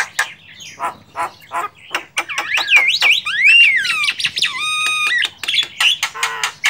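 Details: Javan myna in the wild, a medium-sized dark grey starling of western Indonesia: a varied, jumbled run of harsh clicks and chatters, then whistled sweeping notes, rising slurs and a steady held tone, with a low hum underneath.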